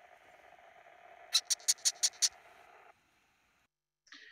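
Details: Young, completely naked Yellow-headed Amazon nestlings begging loudly for their parents: six harsh, high, raspy bursts in a quick, even series lasting about a second, over a steady low hum that then drops to silence.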